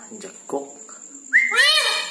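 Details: Red-breasted parakeet at night: low murmured, speech-like notes, then a loud rising whistled call swelling into a broad harmonic squawk, with a steady high whine behind.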